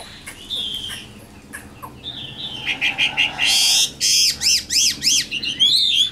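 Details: Chinese hwamei in a cage, caught wild as an adult, starting with quiet thin whistles, then bursting into loud, harsh, arching notes repeated about three times a second, ending in rapid warbles.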